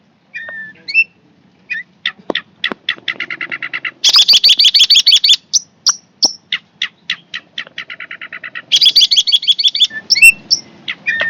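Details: Long-tailed shrike, described as fierce, giving quick trains of clipped ticking notes and chattering rattles, with louder harsh buzzy stretches and a few thin whistles, fairly rapid and uneven.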